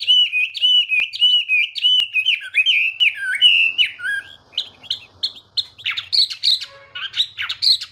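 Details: A Chinese hwamei pours out fluid, repeated whistled phrases at first, then shifts into sharper, higher, more scattered notes with some harsh, scratchy elements toward the close.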